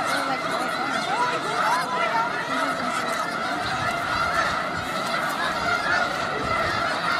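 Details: Snow geese in a huge flock, Skagit County, Washington, keep up a thick, even chorus of barking honks. Scattered higher calls surface now and then over the uninterrupted mass of sound.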